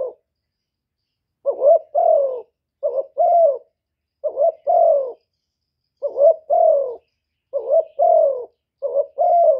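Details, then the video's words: Decoy spotted dove gives six paired coos after an opening silence, brief hooked note then drawn-out soft descending coo, phrases about every one and a half seconds, clean background. "Chim Cu Gáy Mồi gáy gù cực chất"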